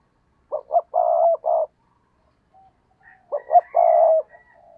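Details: Stuttering 'gù cà lăm' coo of a decoy spotted dove provoking rivals: two back-to-back phrases, each with two quick notes, a sustained low coo and a short tail note. Faint higher calls overlap the second phrase.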